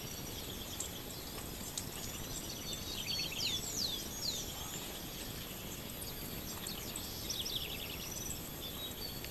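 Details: A house wren (Troglodytes aedon) singing at dawn: thin, high, quickly sliding notes in short bursts, faint against a steady hiss of background noise, with other soft chirps nearby.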